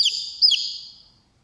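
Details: A chicken chick sleeping in a hand answers its mother's sound with a shrill, high, falling peep, followed by a second longer one that fades out.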